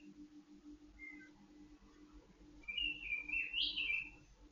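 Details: White-rumped shama kept in a cage and aired in the dew to calm it and keep it in breeding condition: one faint short note, then a loud warbling phrase sliding up and down through high whistles.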